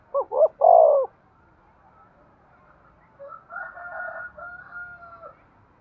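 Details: Breeding-stimulation coo of a spotted dove: one loud phrase of two short hollow notes and a longer falling note. It is followed by a fainter, longer call with steady tones, resembling a rooster crowing in the distance.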